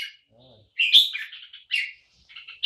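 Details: Red-whiskered bulbul singing the song style called Poi Sian: short, bright, warbled phrases of high notes in quick bursts separated by brief pauses, with a faint lower voice between them.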